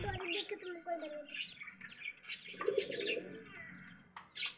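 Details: Chicks in Bangladesh that treat a pigeon as their mother peep in high thin repeated notes while the pigeon coos low beneath them. Chicken.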